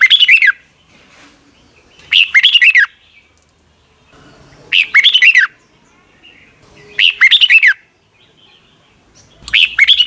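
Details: Red-whiskered bulbul kept in a cage in Thailand, singing the doubled song played daily to teach young birds: five short, crisp warbled phrases repeat steadily about every two and a half seconds, with near silence between.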